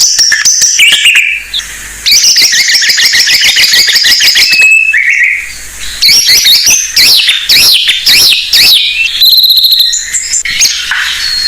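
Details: White-rumped shama of the Blorok type singing as a lure for other shamas: dense, very high buzzy trills and rattling phrases broken by short pure whistles and wavering notes.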